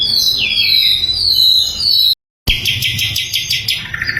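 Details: Sikatan londo flycatcher singing in a clear training recording for songbirds. Sweeping high whistles slide downward, then a short silence gives way to fast, repeated chattering notes.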